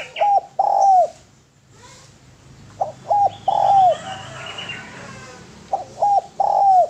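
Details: Masteran song of a spotted dove (tekukur): three rhythmic phrases of short rising coos and a long, steady coo that dips at its end, with distant higher bird twitters in the gap.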